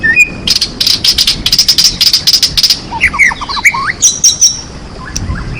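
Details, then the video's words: White-rumped shama singing as a lure to set other shamas singing: fast series of high sharp clicking notes, then a varied jumble of short whistled phrases over background hiss. "sangat ampuh untuk pancingan murai malas bunyi. langsung gacor dan emosi bongkar isian"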